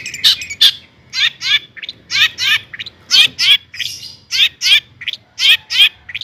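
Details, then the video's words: Long-tailed shrike song meant to rouse other shrikes: paired scratchy, rasping notes repeated in quick pulses, about three per second, with varied chips between. "kicau cendet gacor toet toet AMPUH buat PANCINGAN CENDET AGAR EMOSI"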